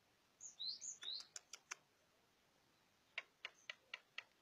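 Javan myna song: a few squeaky, rising whistles, then a run of sharp dry clicks about a quarter-second apart, followed by a second burst of clicks.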